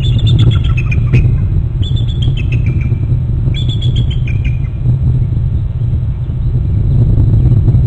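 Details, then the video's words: Both bald eagles of a Hornby Island nest territory calling, one arriving on a bare branch: three rapid series of high chirping notes that step downward in pitch, then quiet, over constant deep rumbling background noise. "both eagles are calling"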